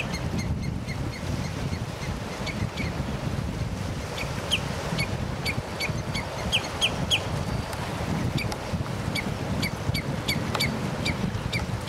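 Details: Common redshank, recorded 24 June 2011 around 11:13, giving short, sharp, high piping notes, singly and in quick bursts throughout, over a steady low rumble of wind.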